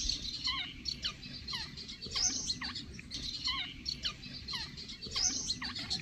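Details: Jungle babbler chick in Pakistan begging while its mother feeds it, giving a busy chorus of high, squeaky chirps and short harsh down-slurred notes, several callers overlapping almost continuously.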